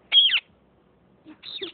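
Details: Parrots in a fight: one loud, rasping screech, then a brief pause, then a second, quieter harsh screech.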